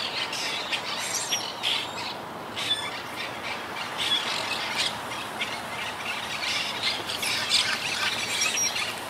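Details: Wild Quaker parakeet colony, regrouping after heavy losses to hurricane Irma in 2017, living high in trees: many overlapping harsh squawks and screeches, dense and continuous, bursts recurring every second or so.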